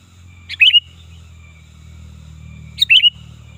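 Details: Lively sooty-headed bulbul lure call, also used for tutoring birds. Two bubbly phrases, each a quick cluster of chirps ending in a short whistle, come about 2.3 seconds apart over a constant low hum.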